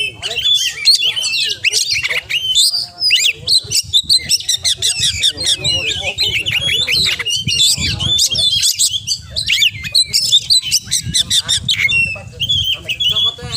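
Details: Long, relentless full-isian song of an oriental magpie-robin, sharp chips, downslurred whistles and rattling phrases tumbling one after another for many seconds, with background music pulsing low beneath.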